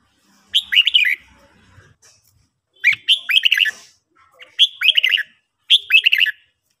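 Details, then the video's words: In a morning singing-training session, a red-whiskered bulbul sings four short, bubbly phrases of rich, warbled notes, each under a second long, repeated every one to two seconds; otherwise quiet. "chào mào hót"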